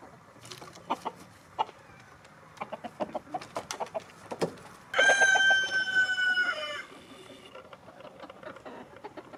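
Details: Chickens in snow, with hens pecking and roosters strutting despite the cold: a run of short sharp clucks and taps, then a loud sustained rooster crow of nearly two seconds, bright and held level before dropping away, followed by quiet.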